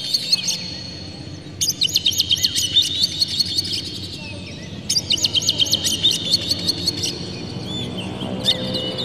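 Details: Oriental magpie-robin lure song meant to agitate birds and get them singing, with harsh, clear material. Two long runs of rapid, dense high chirps and trills, separated by a brief pause, over a low background hum.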